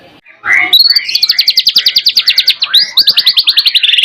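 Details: Song of a white-rumped shama loaded with canary-style phrases, opening with a low swoop, then a rapid, ringing trill of evenly spaced high notes running to the end.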